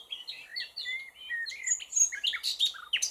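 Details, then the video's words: Common nightingale giving a lively song of quick whistled slurs and chirps, some rising and some falling, building to louder, sharper notes near the end. "Chant du ROSSIGNOL PHILOMELE"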